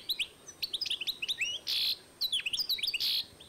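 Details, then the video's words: European goldfinch × canary hybrid, recorded 2012, in quick, bright twittering song: high liquid chirps and slurred notes broken by two harsh buzzy trills. "European goldfinch X Canary"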